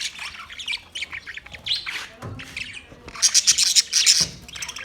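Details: Several budgies in a colony setup give rapid, scratchy chirps and warbling squawks, busy and overlapping, swelling into a denser, louder burst of high chatter near the end.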